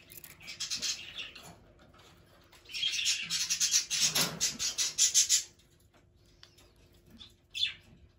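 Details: Young pet society finch singing while sliding on a skateboard and eating: rapid chattering run of high, scratchy notes pulsing several times a second for about three seconds, with scattered short chirps before and after.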